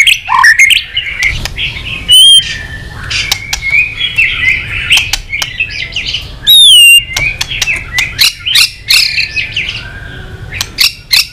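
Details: White-rumped shama in lively, many-voiced song with tail flicking: high thin warbling and short whistles broken by loud sharp clicks and two bright looping phrases.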